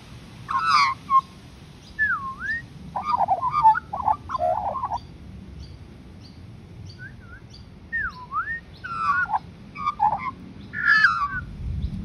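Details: Australian magpie singing: a varied, warbled carolling of rich fluting phrases mixed with clear whistled notes that dip and rise in V-shaped slurs, delivered in bursts with short pauses, over a faint low background rumble.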